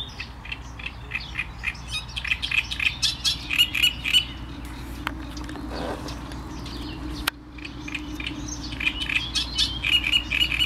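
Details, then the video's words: Great reed warbler chattering song of repeated grating syllables, interrupted midway by a few seconds of rustling handling noise and a sharp click before the song resumes. "Trzciniak i jego śpiew"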